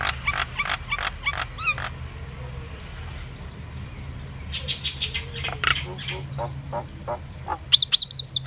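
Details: Indian myna song mixing clicking notes and looping whistles, a quieter middle stretch, then a fast burst of high, ringing repeated notes near the end, over low steady hum.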